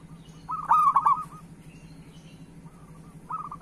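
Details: Zebra dove of local stock cooing to prompt other doves: a loud rolling coo phrase, a pause, then quieter and renewed short coo sequences over a faint low hum.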